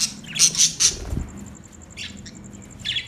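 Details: Budgerigar giving three loud, harsh squawks in quick succession, then a quieter stretch with a couple of short scratchy chirps and a faint steady high ticking.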